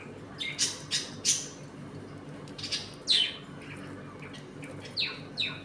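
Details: Budgerigars kept as a home colony squawk in short harsh bursts, a cluster of three early on, then scattered single rasps and falling chirps over low room hum.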